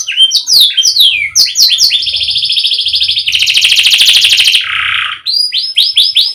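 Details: Canary song: rapid upswept notes give way to a sustained buzzy trill, then a lower rolling buzz, and end with a series of repeated bright whistled notes; faint low thumps underneath.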